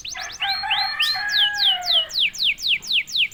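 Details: Caged canary singing vigorously ('gacor') after being prompted: a few lower warbled notes, then clear high notes sweeping downward, repeated about four times a second.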